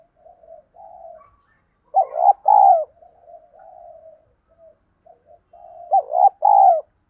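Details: Spotted dove decoy with a field-style voice, encouraging newly caught birds to coo: low soft murmurs then two strong phrases, each a stuttered pair of notes followed by a long rounded coo, quiet humming notes between them.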